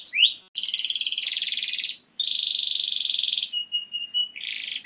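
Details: Canary singing, used for training and stimulating breeding birds: a buzzy rolling trill, then a long rapid rattle, then clear short whistled notes repeated evenly, ending in a rising sweep.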